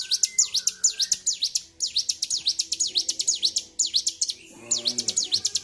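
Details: Agitated Bar-winged prinia singing nonstop, recorded 26 February 2023: short phrases of fast, high, sharply rising and falling notes, separated by tiny gaps, with faint background hum.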